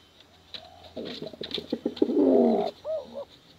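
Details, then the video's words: Male and female pigeon cooing, recorded for contest use and luring young birds; a low rolling burst of coos builds to a steady warbling coo near the end, mixed with sharp clicking taps. "Suara Bekuran Burung Merpati Lomba Hutan Dara Durasi Panjang"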